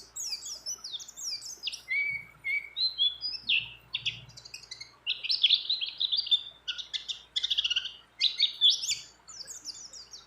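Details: Female mountain white-eye in breeding condition calling a male, a long, loud and varied twittering song of whistled slurs and rapid buzzy trills at high pitch, filled with many other birds' phrases.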